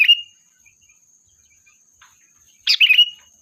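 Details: Lively sooty-headed bulbul song used as a lure to call the flock. One quick burst of chattering notes ends in a short whistle. A trailing note opens the clip, and a faint constant high tone runs throughout.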